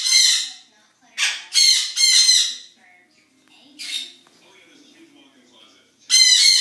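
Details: Noisy birds at a zoo in the morning giving loud, harsh, raspy squawks in bursts of about half a second, several close together, then quieter gaps with faint low murmurs.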